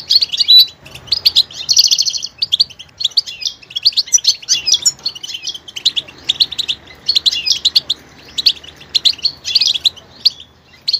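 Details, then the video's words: Goldfinch singing continuous liquid twitters and buzzy trills, switching between different sounds with scattered short pauses. "motivational ringtones that will take you on a journey with goldfinch"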